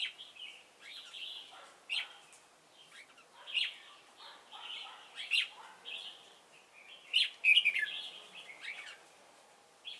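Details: Red-whiskered bulbul kept as a trapping decoy at Chùa Hương, Vietnam, on 28 November 2017, giving a long run of varied whistled phrases, rising and falling, with louder chirpy bursts near the end.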